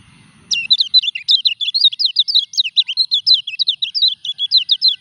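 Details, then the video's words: Moulting kecial kuning kept in a cage delivers a long, fast stream of high, squeaky twitters and chirps, continuing unbroken for over four seconds after a brief low rumble. "KECIAL KUNING NGURAK TETAP EKSIS"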